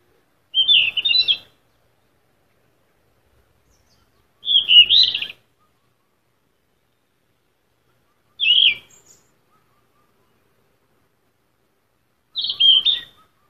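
Yellow-rumped flycatcher giving four short, high, twittering phrases, each under a second long and spaced about four seconds apart, against a quiet background.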